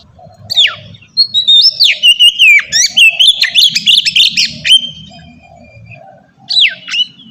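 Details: Melodious ngeplong-style song of an Oriental magpie-robin, used as a lure for young birds: a rapid string of twisting whistles over a faint low hum, then a pause and one sharp downslurred note.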